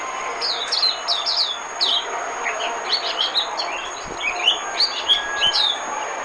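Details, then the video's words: Oriental white-eye decoy song used for luring birds: thin, high twittering notes sliding downward, delivered in quick clusters with short pauses between, over a faint steady background hiss. "Tiếng chim mồi - Tiếng chim khuyên mồi hay nhất 2017"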